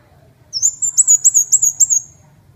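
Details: Ốc mít bird in continuous song, giving a rapid string of around seven piercing, high-pitched chirped whistles with upward flicks, evenly spaced within under two seconds, against a quiet, low background rumble.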